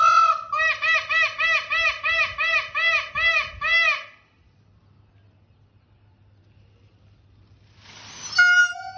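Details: A blue peacock (Indian peafowl) walking on a wall and dancing gives a rapid series of about a dozen loud, nasal, arched honks in four seconds, then falls silent before one more harsh, ringing call.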